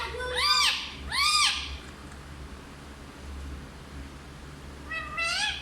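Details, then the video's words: Parrot known for Hindi talking gives two arched, strongly harmonic calls in quick succession, a quiet pause, then one rising call near the end, with a low hum throughout. "सबसे अच्छा हिंदी बोलने वाला तोता ll Parrot Talking"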